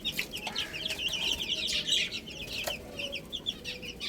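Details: Baby chickens eating spinach, a crowd of chicks giving high, rapid, overlapping peeps in a continuous chattering stream, with a few soft sharp taps in the background.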